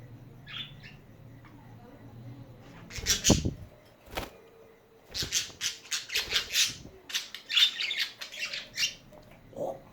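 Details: Chatting budgies: a quiet opening chirp, then a loud squawk, then a fast run of bright, scratchy chirps and squeaks repeated in quick bursts through the second half.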